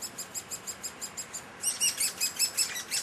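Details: Great spotted woodpecker chicks, fed by a parent at a nest high in a tree at Heeze, give thin, high chirps about six a second, then burst into louder, harsh, rapid chattering as they beg.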